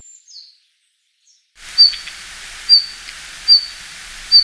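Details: A Red-flanked Bluetail in winter in Japan, where it descends to lowland woods and holds a territory, gives a thin, high, sharp call note about once a second, four times, over a steady outdoor hiss.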